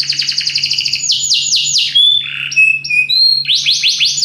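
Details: Powerful singing from a Belgian canary: a quick pulsing trill, a series of loud descending slurred notes, clear whistled tones at steady pitch, then renewed rapid upswept notes; a steady low hum runs underneath.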